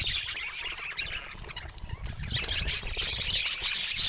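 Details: Budgerigars chattering: a steady stream of high squeaky chirps and scratchy warbles that overlap, getting louder in the second half, over a low rumbling background.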